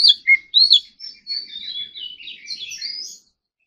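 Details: Oriental magpie-robin at morning singing practice, giving a short, softer passage of slurred whistles that rise and fall, then run into a continuous, rambling warble before stopping.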